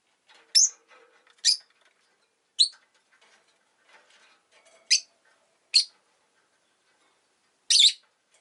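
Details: Two pet rosy-faced lovebirds crowd together at the entrance, letting out strident, piercing chirps spaced about a second apart, with light rustling underneath.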